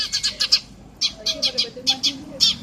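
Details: Eurasian tree sparrow chirping noisily in rapid series: harsh, buzzy chirps repeated several per second in three runs separated by short gaps, with soft lower tones underneath.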